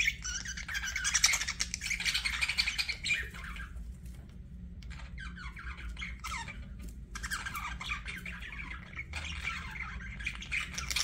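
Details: Budgerigar chattering in long stretches of rapid, scratchy chirps and little trills, separated by a short near-silent gap before the warbling starts again.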